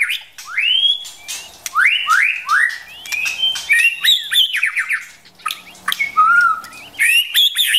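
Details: Forest white-rumped shama, female drawing the male into singing practice: a series of upward-sweeping whistled notes repeated in quick runs, mixed with sharp clicks and chatter, ending in a short low whistle and high trills.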